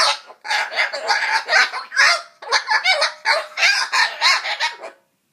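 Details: Cockatoo grumbling while trying to scare away a mosquito: a continuous run of harsh, raspy, broadband squawks and mutters in rapid uneven pulses, ending abruptly after about five seconds.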